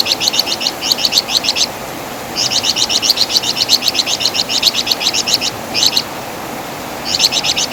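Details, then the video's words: Master song of the flamboyan bird (wergan jawa), a loud singer with characteristic chattering, used to tutor songbirds; fast strings of high, clipped chirps in stuttering bursts separated by short gaps, over a faint steady hiss. "Masteran Suara Burung Flamboyan | Wergan Jawa"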